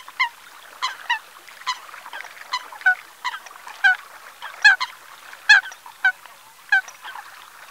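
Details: Eurasian coots calling at Ses Salines de Mongofre, Menorca, 6 February 2020, 9:00 in the morning: a run of short, nasal, honking calls, roughly one per second and irregularly spaced, over a soft background of further bird chatter.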